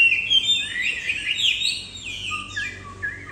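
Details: Caged bob-tailed Chinese Hwamei, a tame bird kept as a songbird, delivering a rich run of loud whistled phrases that slide up and down, dense and varied, with a lower whistled note near the end.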